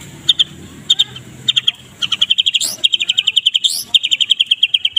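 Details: Shrill, tightly packed kretekan song from a Medan white-rumped shama at morning, played to train other birds: rows of crisp high ticking notes, accelerating into rapid runs, with occasional upswept whistles.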